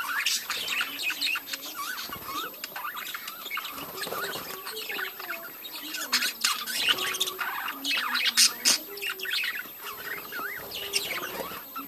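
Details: Many budgerigars in a breeding colony keep up a steady warbling chatter of wavering squeaks and clicks, with faint lower whistled notes repeating through the chorus.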